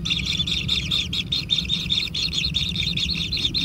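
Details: Nestling kingfishers call for food during feeding at a wild nest, a fast series of piercing, buzzy chirps running together almost without pause against a low background drone.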